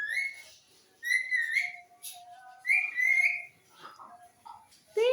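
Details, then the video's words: Green parrot whistling a series of clear, high, slightly rising notes roughly every second, some sliding or warbling, over a steady low hum of background music and faint voices. "Talking Parrot"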